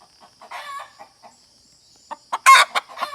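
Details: Hen gives scattered soft clucks and raspy notes, then a burst of loud, harsh squawks near the end.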